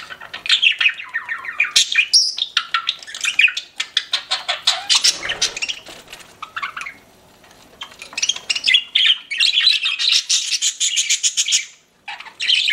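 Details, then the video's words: Group of pet budgerigars chirping, long runs of rapid, clicking, warbling chatter and sharp squawks, broken by a quieter lull around the middle before busy chattering resumes, ending after a short silence. "CUTE PET BUDGIES CHIRPING"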